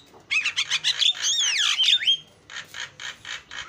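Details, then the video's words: Short burst of Javan myna song with mimicked sounds: rapid rhythmic rasping pulses around a long swooping whistle that rises and falls, then softer repeated pulses. "JALAK KEBO SUPER GACOR SUARA ISIAN"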